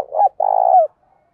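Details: Spotted dove decoy bird, said to have a fine, well-patterned cooing voice for stimulating other doves; a single loud, close coo in two parts, a short low note then a longer, steadier hooting note ending slightly lower, then silence.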